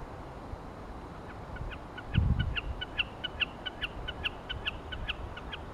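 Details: Common snipe singing in Iceland in 2014: a long series of sharp, clipped double notes repeated about three times a second, growing louder and steady after a brief low thud near the start, over faint wind-like background noise.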